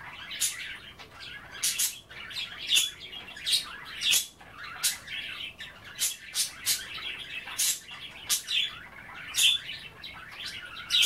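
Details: Indoor budgies at bath time, nibbling kale and water, keep up a steady busy chatter of buzzy warbles and high squeaks, punctuated by frequent crisp clicking and splashing bursts.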